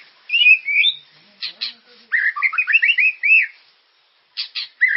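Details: Murai (White-rumped shama) lure song for prompting caged birds to sing: warbled whistles, brief harsh notes, then a fast run of looping, melodious phrases.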